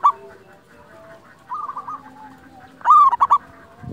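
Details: Zebra dove of a local type, recorded for training and luring other doves. A soft trilled coo sounds first, then one loud cooing phrase breaks into rapid stuttered notes near the end, with quieter dove voices behind.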